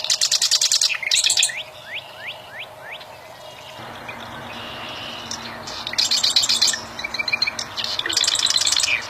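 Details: Wild bar-winged prinia singing: loud bursts of rapid, high, buzzy repeated notes, a run of quick rising upslurred whistles, then more dense high trilled phrases over a steady background hum.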